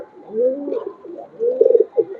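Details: Pigeon from a home loft giving low, soft cooing notes, a gliding hum followed by a burbling, throaty phrase, recorded indoors.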